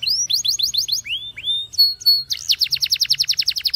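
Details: A Spanish timbrado canary sings training song: rapid rising chip notes, two slow upward whistles, a pair of level pure tones, then a dense fast trill of rising notes.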